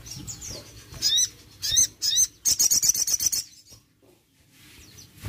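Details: Crested jay call used to wake a quiet bird into song: several sharp, high, down-slurred chirps, then a tight rattle of around ten quick notes before fading to near silence.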